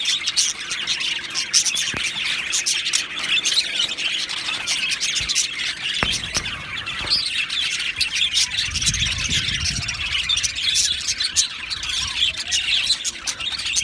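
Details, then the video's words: Long stretch of steady high twittering from two male Australian budgerigars, with chirps and squeaks throughout and a brief low rumbling noise in the middle. "2 Male Budgies Birds Sounds | Australian Budgies Birds chirping sounds"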